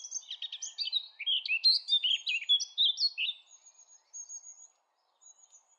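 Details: Eurasian blackcap singing a quick jumbled warble of varied notes that settles into clearer fluty phrases. Thin high whistles follow in a near-silent background.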